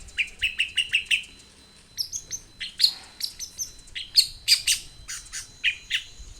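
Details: Long-tailed shrike singing energetically, used as a lure to get shrikes to sing: a fast run of short rising chirps, then varied scratchy, high notes and sharp whistles in quick bursts. Quiet background.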